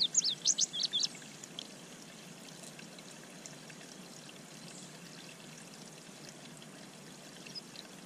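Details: A male Indigo Bunting, recorded in spring on May 25, 2023, sings as he approaches a bird pond: a quick burst of high, sharp, paired notes lasting about a second, followed by steady splashing and trickling water.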